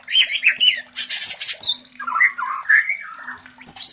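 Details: Captive white-rumped shamas mating, used as sound therapy to trigger breeding in others: harsh rasping chirps and squawks followed by a varied phrase of lower whistles and twittering notes, with a faint steady hum behind.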